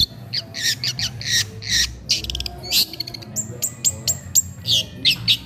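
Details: Long-tailed shrike in lively song as it feeds: harsh buzzy squawks and a short rattle, then clear sharp falling whistles, each given separately.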